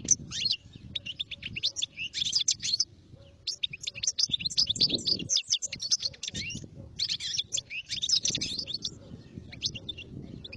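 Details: European goldfinch song: bright, rapid twittering and tinkling notes in several long bursts broken by brief pauses, with low thumping and rumbling noise underneath.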